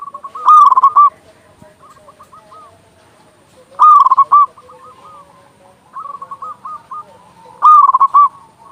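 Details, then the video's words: Local zebra dove, a loud-voiced singer used to lure doves and stimulate quiet ones to sing: three loud, rapidly pulsed cooing phrases about every 3.5 s, with softer trilled cooing of other doves continuing between them. "Perkutut lokal gacor suara besar Masteran burung perkutut agar cepat bunyi"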